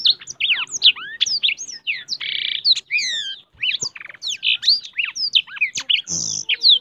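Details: High, rapid song from a blackthroat singing hard enough to open its wings, with looping whistled slurs, paired rising notes, and two grating buzzy bursts woven into the continuous torrent.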